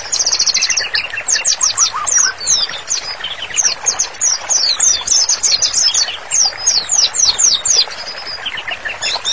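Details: Spirited white-rumped shama song used for training birds: rapid repeated high downslurred notes in bursts, with softer lower warbles between phrases.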